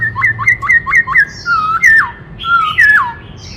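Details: Varied song of a black-throated laughingthrush, sung with many voices: a rapid string of five sharp, upward-flicking notes, then drawn-out whistles sliding down in pitch, the last one falling steeply. A faint low hum sits underneath.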